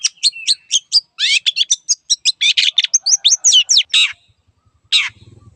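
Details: Long-tailed shrike singing a lively varied medley: quick high whistles, sharp chips and squeaky slurred notes in rapid succession for four seconds, then a pause and one final harsh note, with faint low rumble at the end.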